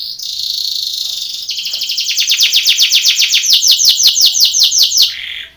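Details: Belgian canary singing a contest training song: a steady, high, sustained whistled note gives way to a long series of quick sweeping notes that slow down and swell louder, ending on a brief held tone.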